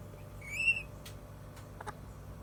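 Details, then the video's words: African grey parrot after a full meal gives a single short, even whistle, followed by a few dry clicks and taps against a faint background hum. "(African Gray Parrot) พี่กินอิ่มแล้ว"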